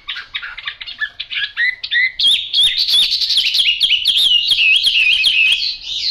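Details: Chinese hwamei, yellow-billed and yellow-legged, opens with short choppy chattering notes, then bursts into a loud, rich run of warbled whistles mixed with sharp clicks and fast wavering phrases.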